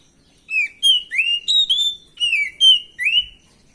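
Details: Lure song of an untrained, stressed oriental magpie-robin, used to make other birds answer at once: roughly eight loud, pure whistled phrases, each slurred up or down, delivered rapidly in a short burst against a quiet background.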